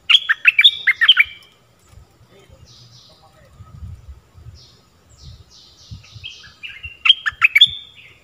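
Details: Stripe-throated bulbul singing, a recording meant for tutoring young birds and luring wild ones: two loud bubbling warbled phrases at the start and end, with faint high chirps and low rustling between.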